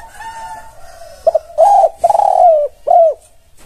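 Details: Spotted dove (tekukur) song meant to make other doves reply: a faint steady coo fades, then a short double note, two long rounded coos with a tremulous middle and a last downslurred coo.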